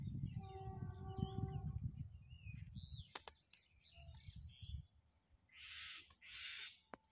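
A myna gives a run of varied nasal notes, short whistles and chirps over a steady high insect drone and a low background rumble.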